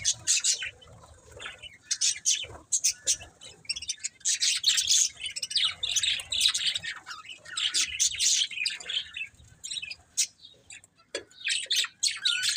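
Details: Pet budgies chirping in irregular bursts, rough chattering warbles and sharp single chirps, with quieter gaps between louder spells.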